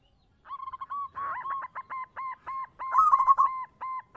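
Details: Zebra dove song meant to draw in other doves: a long string of rapid, evenly paced cooing notes with a brief rough noise early on and a louder rolled flourish near the end, against a constant high whine.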